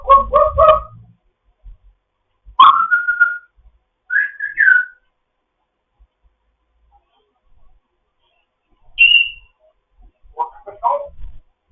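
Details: Fostered grey parrot's morning chat: buzzy stacked chatter notes, a whistle that drops then holds level, warbled mid-pitch whistles, a high falling whistle and more harsh chatter, with pauses between.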